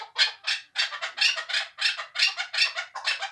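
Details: Two-year-old hunting chukar partridge from Tojikobod district, Tajikistan, giving harsh, broadband clucking notes in a steady series of about three bursts per second, each a gravelly chuck, with no other sounds.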